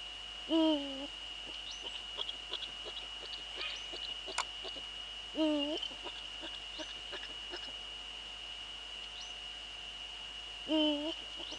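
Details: Eurasian eagle-owl, a male, recorded in the Netherlands on 6 February 2013 at 17:30, gives three low, short hoots spaced roughly five seconds apart, with faint clicks and a constant thin high tone behind.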